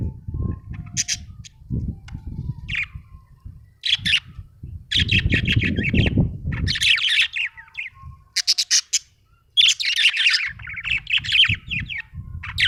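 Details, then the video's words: Happy budgerigar chattering busily: a string of scratchy, warbled high chirps and squawks, some in dense bursts, broken by low rustling and rubbing sounds and a brief pause near the end. "Happy budgie chirping sound"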